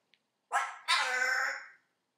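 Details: Pet African grey parrot saying "whatever" right after being told to shut up, having been yelling that the music was too loud; a short voiced syllable then a long drawn-out second syllable in a quiet room.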